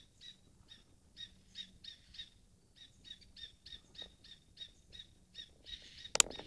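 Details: A Corsican nuthatch at Col de Sorba, Corsica, on 28 July 2011 gives a steady series of short, nasal, mid-high notes, about two or three each second, with a sharp click near the end.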